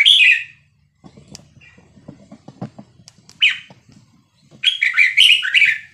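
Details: Song of a Vietnamese-type red-whiskered bulbul in the 3-4-5-6-7 pattern, used to teach chicks and excite birds. A loud whistled phrase opens, quiet clicking follows, then a short note and a long rapid warbling run.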